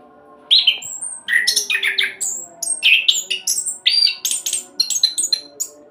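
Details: After half a second of quiet, an orange-headed thrush bursts into rapid rolling song, used to coax other birds to sing, mixing bright whistles, buzzy notes and falling slurs in quick succession.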